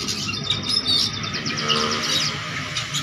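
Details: Oriental magpie-robin singing vigorously and seeking a rival, with varied content: soft rapid twittering and a few thin whistles, somewhat muffled, over a steady hum.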